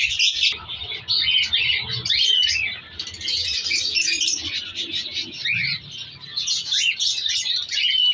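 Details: Cockatiels in a breeding colony with chicks chatter in a steady stream of high, scratchy chirps and whistled notes.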